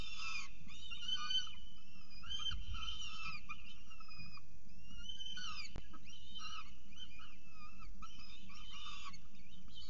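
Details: Peregrine falcons at their nest in Orange during the first feeding of the day, 6.36 am, 21 October 2018; harsh, harmonic wailing calls in overlapping bursts, some rising and falling, nearly continuous over a low steady rumble.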